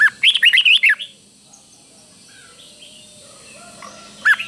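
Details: Caged red-whiskered bulbul giving its doubled song for young birds to copy: a fast phrase of about six looping, warbled whistles, then near silence, with a new phrase starting at the end.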